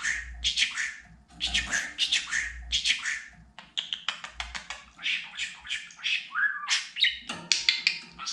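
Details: Budgerigar talking indoors: long rapid chatter of scratchy, high syllables, a run of fast clicks, and a brief rising whistle before more chattering.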